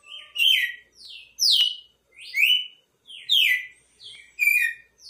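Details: Red-cowled cardinal song of rapid, clear whistled notes sweeping downward, phrases repeated about once per second in a lively, regular rhythm, with nothing else audible.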